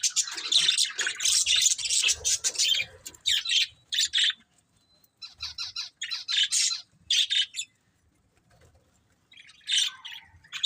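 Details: Breeding pair of budgerigars giving loud, scratchy chirps. A continuous chattering burst opens, then short separate squawky notes come with silent gaps between them, ending in a few sharp chirps.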